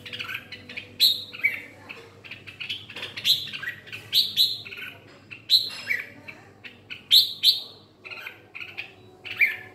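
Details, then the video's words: Red-whiskered bulbul (chào mào ché) giving bright, bubbling phrases of a few quick warbled notes, repeated about every one to two seconds; no other notable sounds. "Chào mào ché"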